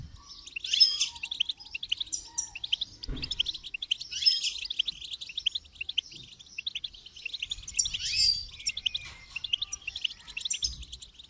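Goldfinch song: a rapid, tinkling run of high twitters and buzzy trills in bursts, with a few faint low thumps between phrases.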